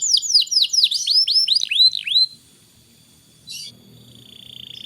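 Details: Tutor canary song for young canaries: about two seconds of bright, descending whistled sweeps in quick succession, followed by near silence with a brief click and a faint low hum.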